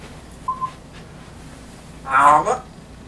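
An African grey parrot makes a single short whistle, then a burst of speech-like talking lasting about half a second in a quiet room.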